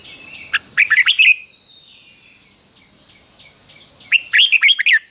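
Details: Thai cage-bird Red-whiskered Bulbul song of the doubled style used to teach young birds: two phrases of five clear, bouncing whistled notes about three seconds apart, soft bird calls between, steady high tone throughout.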